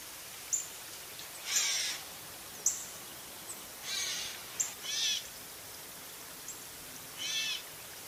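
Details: Gray catbird repeating a soft, raspy cat-like mew about every two to three seconds, with short sharp ticks between the mews.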